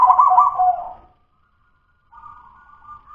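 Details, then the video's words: Local zebra dove from the wild, song still at the dudut-nutut stage: one loud, fast rolling coo burst lasting about a second, then silence and a soft, steady trilled coo. "suara perkutut lokal masih DUDUT-NUTUT BELUM LOS-NEGEL-GAYER&GACOR"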